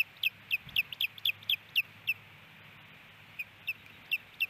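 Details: Osprey at a nest in Hellgate Canyon, Missoula, Montana, in April, male settling the female: a series of sharp, high chirped whistles, about four a second, with a short gap before more.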